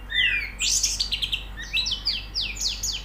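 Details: High, fast White-eye song played as therapy audio to make a pleci sing: a loud opening burst of chattering notes, then a string of quick downward-swept chirps repeated several times each second.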